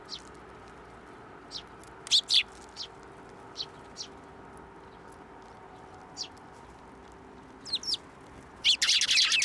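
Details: Hand-feeding sparrows at a Tenmangu shrine, 10 June 2024. Sparse high chirps, a louder pair after two seconds, more calls later, then a loud burst of broadband rustling and fluttering at the end.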